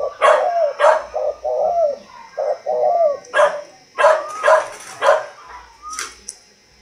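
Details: Spotted dove kept at a breeding farm in Ba Vì district, Hanoi, Vietnam, delivering a run of soft, hollow coos in short phrases, roughly one to two notes a second, interrupted by sharp bursts that sound like hand clapping.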